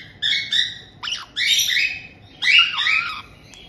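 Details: Resident pair of white-bellied caiques welcoming a young bird just over two months old, kept indoors by a breeder in Tokachi, Hokkaido, Japan, June 2023. Three bursts of grating, nasal squawks with shrill upper tones, separated by short pauses.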